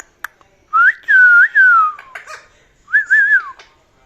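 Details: Pet parrot kept indoors, giving clear tonal whistles that rise, hold and slide back down in two bursts, the second more wavering, with small clicks and faint noises between them.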